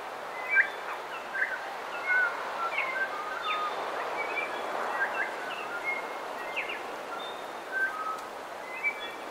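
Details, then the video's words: Coastal dawn chorus with bellbird song and calls. Many short, pure whistles and quick upward slides overlap at an irregular pace over a broad rushing background noise. "Coast. Dawn Chorus With Song And Calls From Bellbirds (Some CU)"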